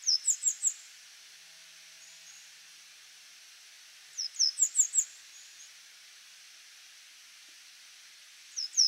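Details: Grey wagtail singing while perched on a power line. Bursts of four to five high, sharp notes repeat about every four seconds over a soft background hiss.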